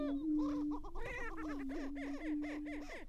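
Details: Greater prairie-chicken males displaying and squaring off at a lek near Glacial Ridge refuge, Minnesota, April 2019; dense rapid cackling, harsh repeated arched notes stacked over a faint low droning boom.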